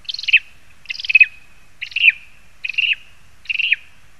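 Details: Lesser spotted eagles perched in spruce, Zemgale, Latvia, late August 2021: five high, reedy yelps, each stuttering then dropping in pitch, spaced under a second apart.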